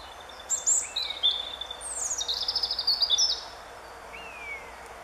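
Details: European robin singing on 10 April 2015 while pecking at an ant; a high, thin phrase of sweet whistles that slides into rapid tinkling trills lasting about three seconds, with a lower, falling whistle before and after it.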